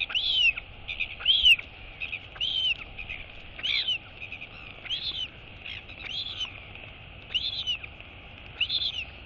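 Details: Royal albatross chick following its departing mother, wheeing repeatedly: a steady series of high arched whistles, nearly one a second, with little background sound.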